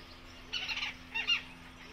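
A Javan pond heron gives two harsh, raspy squawks about half a second apart, the first longer than the second, over a faint steady hum.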